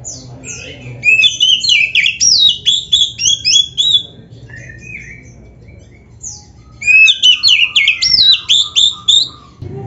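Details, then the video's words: Oriental magpie-robin in full song, played to make rival magpie-robins respond. Two long bursts of rapid, high, looping whistled notes are split by a quieter gap with a few softer phrases. "SUARA KACER GACOR FULL ISIAN"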